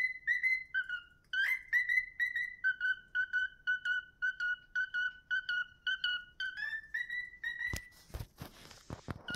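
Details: A cockatiel whistles the tune "If You're Happy and You Know It, Clap Your Hands" in clear, repeated notes with steady pitch steps.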